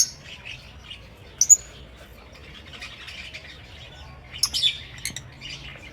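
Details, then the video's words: Aviary lovebirds kept as pets chattering, with soft twittering notes broken by two loud squeaky chirps early on and a cluster of shrill, squawky calls near the end. "Lovebird Singing & Chirping Sounds"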